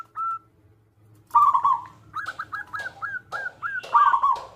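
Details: Local zebra dove with a big voice used as a lure: one brief note, a pause, then a trill followed by about seven evenly spaced hooked coos and a final trill.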